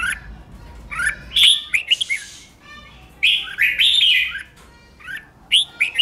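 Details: Red-whiskered bulbul competitive singing used to rouse other bulbuls: separate loud bursts of rich, slurred whistles and chirps with sharp clicks, spaced by quieter pauses.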